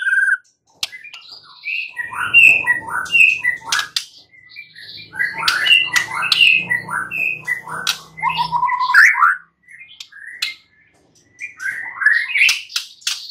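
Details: White-rumped shama delivering a long, varied song of short whistles, chatters and clear sliding notes, with soft pauses and faint low rumbling underneath.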